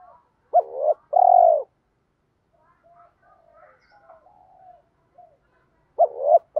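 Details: Spotted dove coos used to train cage birds and push reluctant wild-caught doves to call: a clipped note and a sustained hollow coo, a quiet stretch with soft faint murmurs, then two more quick coos at the end.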